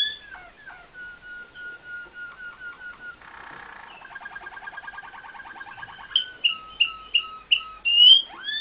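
Waterslager canary singing rolling tours: low whistled notes repeated in quick runs, a bubbling water-like trill in the middle, then brighter, louder chirped phrases.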